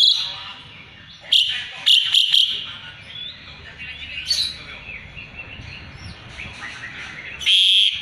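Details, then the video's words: Asian pied starling in lively song, used as song material for white-rumped shamas; harsh, scratchy chatter with sudden sharp bursts and a loud squeaky note near the end, over a low background hum. "Jalak suren gacor isian murai batu auto nyaut"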